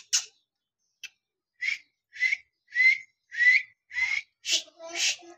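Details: Talking parrot giving a run of short, bright whistled chirps, about nine notes in five seconds, each a small upward-sliding squeak roughly half a second apart, the last two louder and harsher.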